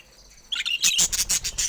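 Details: Pet budgerigars giving a quick burst of bright, high chirps and twittering notes, loud and dense after a quiet opening half second.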